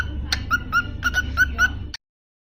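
A cockatiel whistles a quick run of clear, slightly rising notes over a low indoor hum.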